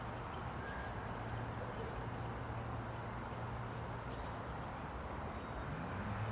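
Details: A Goldcrest calls in Tivoli Landscape Park, Ljubljana, Slovenia, on 23 November 2022: very high, thin, needle-like notes with a brief denser run near the end, over a steady low rumble of distant traffic.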